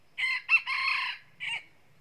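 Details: Crow of a wild Red Junglefowl rooster, one of two roosters calling very loudly before a fight, 2019: two clipped notes, then a sustained rasping phrase, a short pause and a final falling note, against quiet background.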